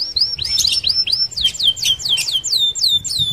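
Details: Canary in full rolling song, played as a lure for other canaries: high sweeping whistles strung together at speed, some rising and some dropping, forming a continuous bright warble over faint low noise.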